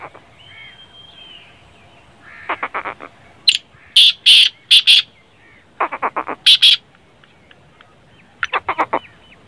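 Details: Black francolin's harsh, grating calls in phrases of several loud notes, alternating with a different bird's rapid bursts of four or five shorter clicking notes, over faint chirping.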